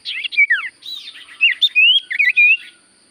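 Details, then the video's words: Lively sirtu-style song of a Common Iora: an unbroken stream of bright whistled notes, slurs rising and falling, with rapid chattering bits and a clear rising whistle near the end. "Burung sirtu cipoh gacor suara paling Top cer sirtu cipoh diam langsung nyaut"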